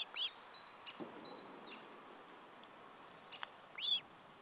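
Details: Osprey at its nest during a meal, 14 July 2012: two short, arched, whistled notes, one near the start and one near the end, over steady hiss with faint clicks between.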